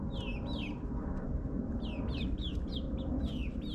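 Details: Backyard chicks in their ninth week, suburban setting: bright falling peeps repeated rapidly, several birds overlapping, over a constant low mechanical drone.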